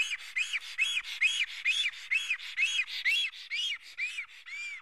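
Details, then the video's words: An agitated Black stork at a nest in Karula, Estonia, on a live camera at 11:10 on 19 May 2017, reacting to an intruder with hatching imminent: about ten arched, rasping whistles repeated roughly twice a second. "Karula Black Stork~A Intruder is near the nest~"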